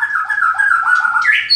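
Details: A captive-bred white-rumped shama in Klaten gives a sustained, warbling mid-pitched whistle that wavers and ends with a brief rising phrase and a high, thin note.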